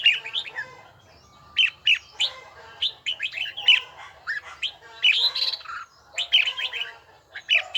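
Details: Red-whiskered bulbul in voice training, bell-tone style, giving short whistled phrases that sweep up and down. Bright notes burst in clusters about every second, with brief quiet gaps between them.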